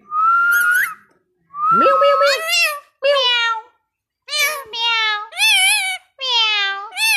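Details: Pet parrot mimicking Bangla speech indoors: loud, nasal, harmonic-rich word-like phrases, one with a long steady whistle and sharp rising glide, the rest short wavering syllables in bursts separated by brief pauses.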